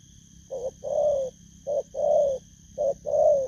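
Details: Spotted dove taken from the wild repeats a two-part phrase three times: a brief soft note followed by a long, smooth, resonant coo, each phrase about a second and a half apart, over a faint high-pitched hum.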